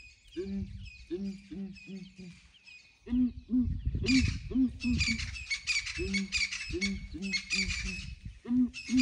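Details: Morning calls of several ground hornbills investigated by a breeding herd of elephants; repeated deep hollow hoots in steady runs, overlaid midway by a dense high chorus of chirping birds or insects.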